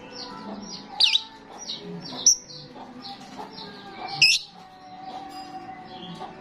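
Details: Starling in full, lively voice, used to lure other starlings: loud, sharp whistles sliding downward at about one-second intervals over a steady background of softer chattering and twittering.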